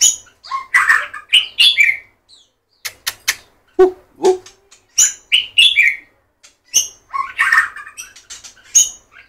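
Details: White-rumped shama, known locally as murai batu, delivering loud mixed phrases: rich warbles, high whistles, crisp clicks and a couple of lower dropping notes, in bursts with short gaps.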